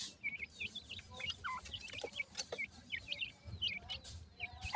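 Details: Several francolin chicks, locally Sindhi teetar, peeping in quick succession with short high chirps, some bending downward, spaced irregularly, over a faint low hum and a few clicks.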